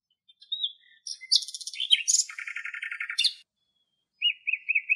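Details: Common nightingale in Greek countryside: a long strophe of dense buzzy rattles and high trills, a silence, then four rounded whistled notes repeated evenly.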